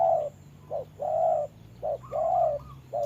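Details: Decoy spotted dove dueling a wild bird in rain during trapping; clear mellow coos in a quick short-long rhythm, nearly three phrases in three seconds, background low hum.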